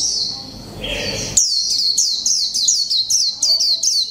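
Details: Japanese white-eye of the mộc tinh type, caged for one month, singing the líu pha chòe trống style: a thin high warble, then a fast series of sharply falling chip-like notes repeated about four times a second.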